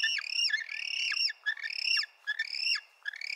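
Penguin calls: high, squeaky, harmonic squawks that rise then drop sharply, given in quick overlapping bursts about once a second.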